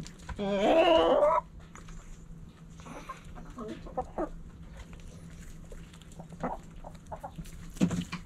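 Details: Backyard chicken flock: a loud, rough, harmonic squawk lasting about a second opens the recording, then soft scattered clucks and scratchy rustles follow at a much lower level, with a constant faint hum.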